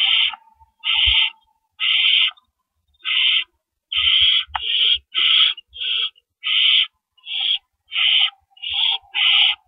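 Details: Owls at their nest before dawn, about 4:31 AM on 4 April 2012, with adults bringing in and carrying off rabbits as prey; rasping, hissing bursts, about thirteen in ten seconds, each roughly half a second long, with faint low thumps between.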